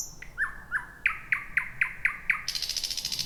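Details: Thrush nightingale singing at night in dense bushy thicket, first song of the year; a series of loud, hard repeated notes roughly every quarter second, ending in a fast buzzy rattle.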